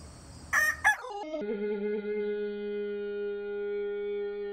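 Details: Rooster crowing in slow motion, the crow stretched into a deep, drawn-out, steady droning tone after a brief harsh opening burst, sounding like a movie dinosaur.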